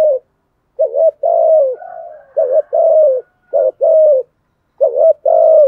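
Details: Spotted dove decoy bird giving urging coos in the thổ voice style, used to provoke wild doves: low mellow phrases of two or three hooting notes, a short stutter then a longer falling coo, repeated with brief gaps.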